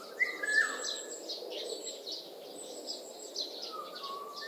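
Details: Oriole calling with a short rising whistle near the start and a lower fluty whistle near the end, over a steady high chorus of insects and small birds.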